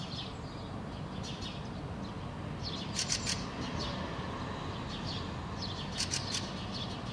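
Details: Fieldfare (Turdus pilaris) perched in an apple bush in Helsinki, Finland, June 2013, giving harsh, dry chack-chack-chack calls in short bursts about three seconds apart, with softer chatter between, over a steady rumble of wind.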